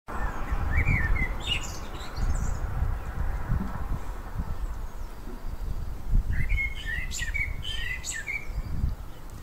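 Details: Common Blackbird at Le Fontenay giving two brief fluty warbled phrases, each ending in high squeaky twitters, over a steady low wind-like rumble.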